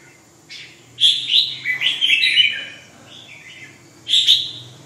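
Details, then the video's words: Red-whiskered bulbul singing: bright, warbled phrases of rich notes, a burst after one second, then a short final phrase near four seconds, with quiet pauses between. "Kênh về chim Chào mào"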